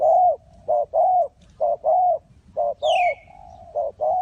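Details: Spotted dove calling to lure wild doves into a trap, Ninh Thuận: clear mellow coos grouped as a short note and a longer drawn note, repeated about once a second, with one brief high descending chirp from another bird.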